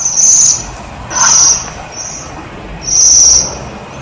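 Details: A waxwing on a privet gives very high, thin trilled 'sirrr' calls, each about half a second long, with softer calls from other birds in between.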